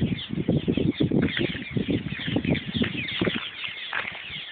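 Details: Cliff swallows (Petrochelidon pyrrhonota) in a big colony on a bridge over the Yellowstone River north of Springdale, Montana, keep up a continuous overlapping chatter of squeaky chirps and twitters over heavy low rumbling wind and water noise.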